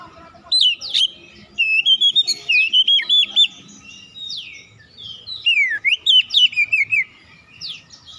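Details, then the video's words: Oriental magpie-robin singing to provoke answers from other magpie-robins: long, busy sequences of quick whistled and chirping notes at about four per second, broken by short pauses. "KACER LAIN LANGSUNG RESPON GACOR SEKALI PANCING"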